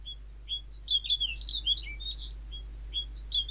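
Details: Snow bunting song: quick twittering phrases of short sweet whistled notes, rising and falling, in two bursts over a steady low hum.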